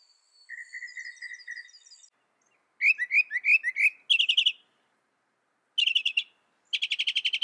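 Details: Northern mockingbird song with a soft, steady run of repeated notes, then bursts of harsh chattering and rapid buzzy trills, each phrase repeated before a pause and a new pattern.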